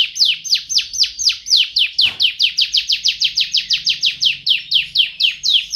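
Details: Canary singing a steady series of high, clear downslurred notes, about two per second, evenly repeated throughout with little pause.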